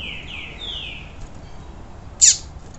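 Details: A seedeater (coleiro tui tui) sings three clear, falling whistled slurs in quick succession, then one sharp, bright downward note. The recording is meant to stimulate song in a cold seedeater after its moult.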